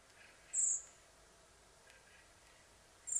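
Two thin, very high, drawn-out notes from a Common Blackbird, about two and a half seconds apart, over a faint background hiss.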